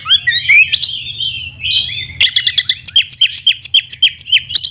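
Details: 'Isian mewah' song from an Oriental magpie-robin (kacer). Opens with sweeping slurred whistles and a buzzy phrase, then breaks into a steady series of crisp, high chirps repeated several times a second.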